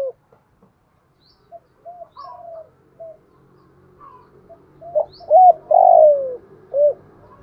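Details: Decoy spotted dove calling to bring wild doves in to answer and fight. Quiet scattered soft coos are followed by one loud phrase of paired hoots and a long, falling coo, over a low steady background hum.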